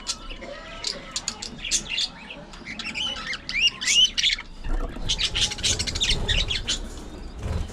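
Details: Budgerigars in an aviary colony chattering busily: dense bursts of sharp, squawky chirps and warbles, many overlapping, rising and falling quickly, with brief lulls between flurries.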